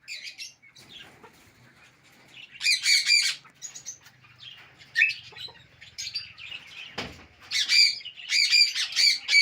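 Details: Talking Alexandrine parakeet kept as a pet, said to speak Urdu and English, letting out loud, grating harmonic squawks in clusters, with softer chatter and a brief wing flutter in between.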